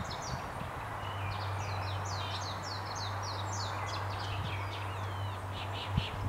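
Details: In early spring on the Iizuna plateau, a chestnut-cheeked starling loudly declares its territory in a rambling song of quick, squeaky, slurred high notes over a steady low hum; a fight between males followed.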